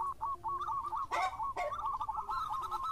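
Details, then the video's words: Local zebra dove in lively song, a lure recording: a rapid chain of rolling coos, broken by two sharp knocking sounds, then continuing in quick bubbling notes. "JAWARANYA PANCINGAN !! ( Perkutut Lokal Gacor )"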